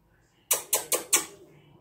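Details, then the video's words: A green parrot, tagged as an Indian ringneck, talking: four quick, harsh, raspy syllables in under a second, like clipped mimicked speech, then quiet. "Mian Mithu ke baty sound"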